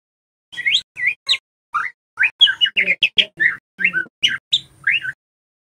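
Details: White-rumped shama lure song meant to spur juvenile shamas to sing loudly; a rapid series of short, varied chirps and whistled notes, sharp and high, each separated by tiny gaps.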